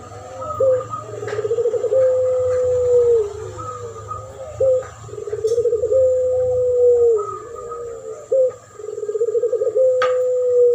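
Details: Spotted dove in a champion-style duet lure with a puter pelung dove: three repeated phrases, each a quick bubbling roll of coos leading into a prolonged even coo that tails downward, separated by brief pauses, steady hum behind.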